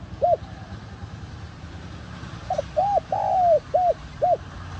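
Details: Spotted dove call used to draw in wild doves: one lone hooked coo, a pause, then a full phrase of a quick soft note, arched coo, long sliding coo and two short coos over steady low hum.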